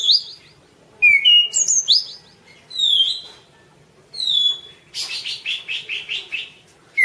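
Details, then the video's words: Orange-banded thrush song used as masteran: clear whistled phrases, some sliding downward, separated by short pauses, ending in a run of about eight quick repeated whistled notes, with faint background hiss. "suara kicau burung anis cendana : masteran anis cendana"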